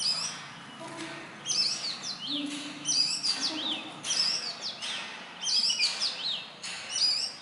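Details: Small black and white Indian robin, or bush robin, singing in morning or evening near human residence; high sweet phrases of rapid slurred whistles and twitters, repeated about every second with short gaps.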